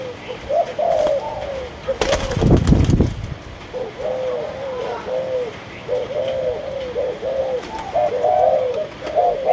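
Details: Kept spotted dove of the Malaysian line giving a series of short cooing phrases. The notes are mellow and slightly rising then falling, repeated steadily. A loud rustling burst of noise interrupts them for about a second.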